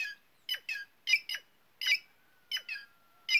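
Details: Harsh, scratchy squawks from a White-naped jay, delivered in pairs roughly every half second to second, with a faint steady whistle-like tone in the background.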